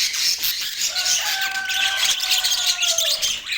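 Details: Budgerigars in Portland chattering in a dense high warble, with a long, steady, flat whistled tone running underneath through the middle.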